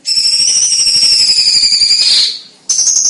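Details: Loud, close-packed cucak cungkok song used as a tutor for competition birds: a sustained shrill buzzing trill slowly falling in pitch over two seconds, a pause, then another trill starts.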